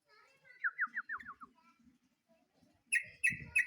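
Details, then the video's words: Sooty-headed bulbul, highly vocal, calling out to a rival: a quick run of five downslurred notes, then loud clear notes after a pause, with faint low rustling beneath. "BURUNG TRUCUK GACOR MANGGIL LAWAN"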